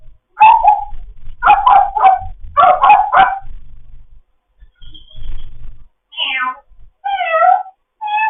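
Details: Pet African grey parrot in foster care chattering in the morning: bursts of harsh, barking notes repeated in quick groups, then a few rising and falling whistled calls after a short pause.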